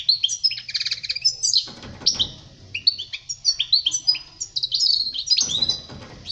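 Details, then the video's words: Goldfinch singing continuously for young birds to learn from: lively high twittering with a short buzzy trill early on, then repeated chirruping slurred notes and liquid tinkles, with faint low rumble in places. "Chant chardonneret pour les jeuns لتعليم صغار طائر الحسون"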